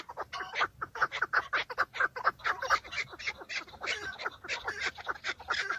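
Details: Chukar partridge males fighting during the breeding season, displaying themselves to females, filmed from a vehicle: loud, rapid, rasping chuck-chuck calls from more than one bird, overlapping bursts with a slightly ringing tone.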